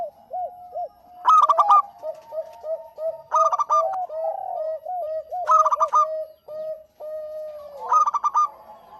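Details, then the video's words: Zebra dove of local stock: soft arched coos open, then four loud rattling bursts of notes about every two seconds over steady low cooing. "Suara Burung PERKUTUT LOKAL GACOR"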